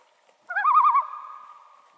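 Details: A Common Loon (Gavia immer) of northern lakes gives a brief tremolo, a call usually used in alarm: a quavering, rapidly wavering mid-pitched note lasting about half a second, then a steady tone that fades slowly.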